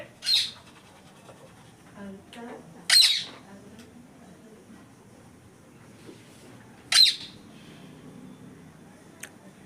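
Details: Rose-ringed parakeet giving loud, harsh squawks, three short screeching bursts spaced irregularly over about ten seconds, with quiet indoor background between them.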